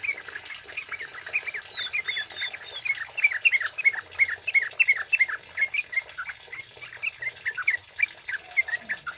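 A male kemade sings a fast run of sharp, high chirps, about three a second, with thin squeaky notes above and no other clear sounds.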